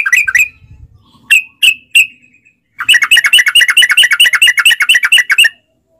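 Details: Trucukan, the yellow-vented bulbul, singing gacor as a lure for caged birds: a few spaced bright chirps, then a long, fast, even chatter of repeated notes lasting nearly three seconds.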